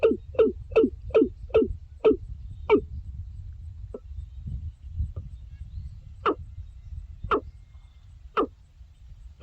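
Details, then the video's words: Watercock, a secretive wetland bird, calling to others: a quick run of seven hollow, clucking notes, then a pause and slower single notes about a second apart, over low rumbling background noise. "Mesmerizing Watercock Bird Calls"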